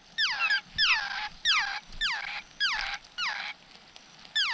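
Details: At a wild laughingthrush nest where parents tend chicks in the rain, a harsh squeaky call sweeping sharply downward repeats about every 0.6 seconds, seven times, over faint background noise.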